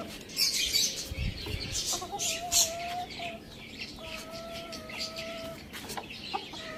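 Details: Domestic rooster and hen eating spinach in a village farmyard: scattered soft clucks and scratchy noises give way to drawn-out, even-pitched calls, each held about a second or more, with bursts of rustling.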